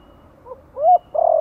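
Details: Spotted dove giving a gentle lure call in the Thổ voice style, meant to stimulate newly caught birds to call: a soft low coo, a rising-falling coo, and the start of a longer coo.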